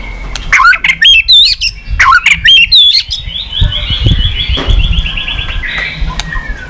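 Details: White-rumped shama, a recording used to stir up birds in poor singing form and make them flick their tails: several loud, clear whistled notes with sharp upswept slurs, then a long, fast, buzzy chattering run at a high pitch over low rumbling noise.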